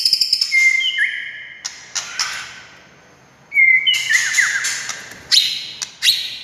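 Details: White-rumped shama song to provoke other shamas into singing: quick chips leading into long clear whistles, a pause, then a second burst of whistles, trills and sharp notes.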